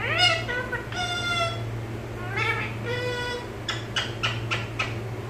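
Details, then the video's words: Pet parrot kept at home, said to talk Malayalam; three short harmonic, speech-like utterances with rising and falling inflections, then a run of sharp broadband clicks or taps, over a steady low indoor hum. "PARROT TALKING MALAYALAM ഇങ്ങനെയും സംസാരിക്കുന്ന തത്തകൾ"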